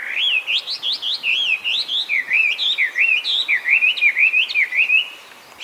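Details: A Chinese hwamei, escaped cage bird now breeding wild across Japan, pours out rapid looping whistles, about three notes a second, bouncing up and down in a tireless, lively sequence.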